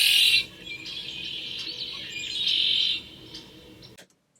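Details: Red-winged Blackbird singing in Northern California, close to the recorder: a loud, high, buzzy trill at the start, softer notes, then a second drawn-out rasping trill, over faint outdoor hiss.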